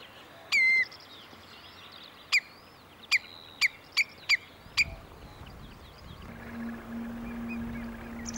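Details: Common Redshank in Sweden calling, warning and mating: a longer piping note, then six sharp high 'teuk' calls under a second apart, Northern Lapwing in the background, a low steady hum at the end.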